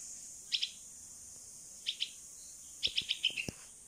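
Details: Young bulbul, a 16-day-old rescued fledgling still learning to fly, begging for its mother in the open: two quick paired high chirps, then a rapid string of five bright notes.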